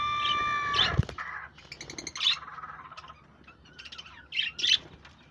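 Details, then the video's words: Budgies heard on 1 June 2024, giving short bursts of bright chirps and squeaky notes separated by brief pauses, including a clear whistled tone at the start and scratchy chatter later. "Lovely budgies sound and chirping"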